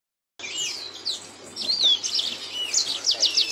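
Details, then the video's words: Caged yellow-fronted canary, a finch kept as a songbird, singing high sweet twittering phrases of quick rising and falling notes, growing louder after a short silent start, with a faint low hum beneath. "Ocehan burung mozambik"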